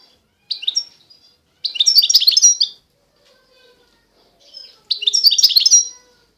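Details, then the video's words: Goldfinch of the authentic Constantine strain, eastern Algeria, singing: a brief twitter, then longer tumbling phrases of fast, tinkling chirps mixed with buzzy notes, separated by short gaps. "تغريد الحسون القسنطيني الاصيل (حسون الشرق الجزائري)"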